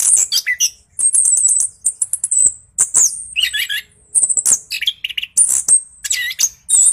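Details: Orange-headed thrush singing to provoke other birds: high ringing whistled phrases, rapid repeated chips and lower buzzy warbles, in bursts separated by brief pauses.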